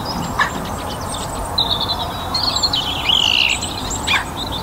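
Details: Evening chorus in a North Antrim garden on a sunny spring day, song thrush singing: a long clear whistled note gliding slightly downward, then short sharp notes, with faint chirping birds in the background.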